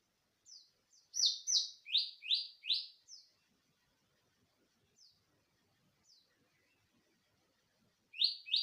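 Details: Natural song of a greater green leafbird, used as a lure to get untrained birds singing: a burst of about six loud, rich, falling notes, then scattered faint high chips, and the loud phrase starting again at the end.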